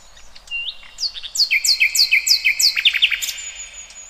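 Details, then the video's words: Bird song recorded in the wild, a series of bright downslurred whistles repeated several times a second, overlapping with higher thin notes and ending in a long, high, steady whistle. "Kicauan Burung Cerminkan Suasana Damai"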